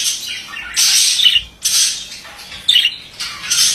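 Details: A male budgerigar gives a few long, harsh, raspy squawking phrases, each lasting up to a second, separated by brief pauses, with bright whistled inflections inside the bursts.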